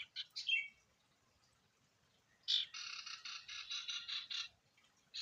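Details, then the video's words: Sirtu in full song, used as a lure to stir other sirtu into singing: two bright chirps, a pause, then a rapid run of buzzy, rattling notes at even pitch, and a final chirp. The background is quiet. "Burung sirtu gacor Variasi Isian Siulan Paling Mewah!"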